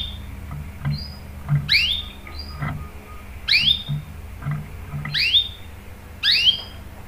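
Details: Canary calls used as a lure for other canaries to join in singing: four bright swooping chirps about every one and a half seconds, with soft high whistles between them and scattered low knocks and thumps.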